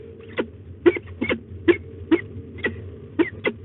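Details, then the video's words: Peregrine falcons at a nest site in De Mortel, Netherlands, on 3 May 2021 at 12:50, during a nest changeover between the pair; short, clipped chup-like calls repeat unevenly about every half second over a steady low hum. "Wissel 03052021 12:50 Slechtvalken De Mortel"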